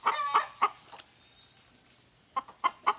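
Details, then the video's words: Chicken: a hen clucks in short, low, evenly spaced notes, a few per second, pausing briefly before resuming; a thin high whine in the background. "The Sound of Hen"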